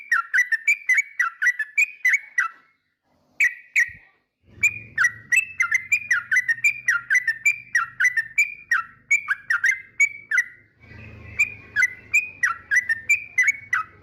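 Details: Yellow-vented bulbul song said to rile rival birds: long runs of quick, bubbly whistled notes bouncing up and down, repeated almost three times a second, with one short pause and a low hum in the background.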